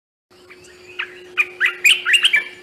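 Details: Olive-winged Bulbul, commonly heard in parks and nature reserves, gives a melodious run of a few short, bubbling notes, often repeated, that quicken and grow louder over two seconds, over a steady low electrical hum.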